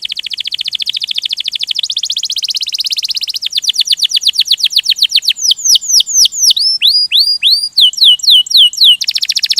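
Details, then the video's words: Canary delivering a ngerol (rolling) gacor song: long rapid trills at changing pitches, then crisp down-slurred whistles repeated about four per second, ending in another fast roll. "Kenari Ngerol Gacor"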